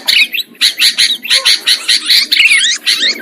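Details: Sooty-headed bulbul calls used as a lure sound for trapping birds: bright, chattering bursts of short notes, each burst about a quarter second long, following one another quickly, with faint low rustling underneath.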